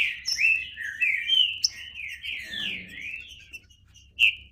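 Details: Green-winged saltator song, a dense stream of overlapping whistled slurs, rising and falling, loud at first and fading, ending with one bright isolated note.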